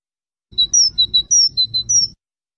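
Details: European goldfinch song: eight clear, pure whistled notes in under two seconds, alternating between a lower and a higher pitch, some sliding slightly downward, with no other sounds.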